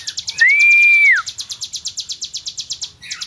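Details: Tame hill prinia singing vigorously: a long, steady whistled note that drops at its end, set against a fast, even series of high buzzy pulses that keeps going for about three seconds.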